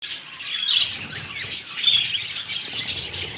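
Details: Pet budgerigars filmed close up, giving dense, continuous high chirping and warbling chatter with overlapping squeaky notes and brief louder bursts throughout.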